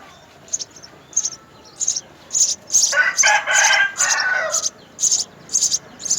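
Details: House sparrow nest with mother and father feeding three young: shrill, high begging notes repeat about twice a second, joined midway by a burst of louder, lower chirping.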